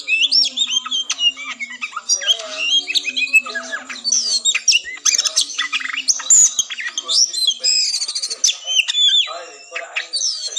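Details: Contest Oriental magpie-robin fighting song, played to lift a bird's breeding drive before competing; crowded high whistles, quick slurred notes and harsh chatter pour out continuously over a faint low steady hum.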